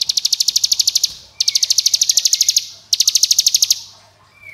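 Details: Rattling 'ngebren' song of a hill prinia, meant to get young birds singing: three back-to-back runs of quick, sharp, high repeated notes at an even pace, with a faint low hum underneath.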